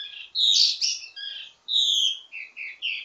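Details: Loud, harsh and whistled phrases from a wambi mini singing ledekan, a teasing style with many variations, used to train birds of the same kind. Rough blurred notes alternate with clear high tones.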